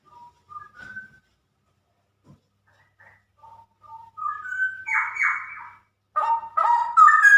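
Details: Female straw-headed bulbul singing in the rapid ropel style: soft scattered whistles build into loud, rich, bubbling warbled phrases with descending slurs, ending in bright, ringing, rising notes.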